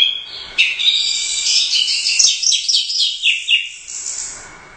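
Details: Caged orange-headed thrush, a Royal Cup first-prize bird, delivering energetic gacor song. A continuous stream of fast, shrill, jumbled warbles and twitters runs for about three seconds, then fades into a soft trailing note.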